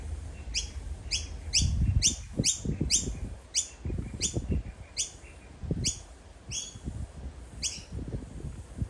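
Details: Fledgling Noisy miner in Australia repeatedly calling its parent: short, bright, upward-sweeping chirps with ringing overtones, about one each second, around eleven in all, over low rumbling wind or handling noise.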